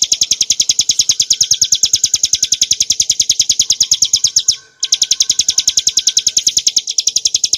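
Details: Song of the montane bar-winged prinia, Prinia familiaris montana, used to train and provoke cage birds: clear ngebren nembak style, a rapid, metallic high chatter that stops briefly after about five seconds and resumes.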